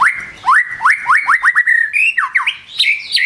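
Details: White-rumped shama singing in the morning, from a lure recording meant to start other birds singing: a fast series of loud upslurred whistles, about eight in three seconds, then higher looping notes.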